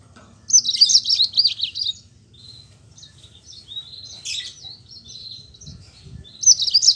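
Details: Energetic rolling song from a yellow-fronted canary, used to get lazy Mozambique canaries singing: a high wavy warble of over a second opens, softer chips and whistles follow, and another warbled burst closes, with low knocks near the end.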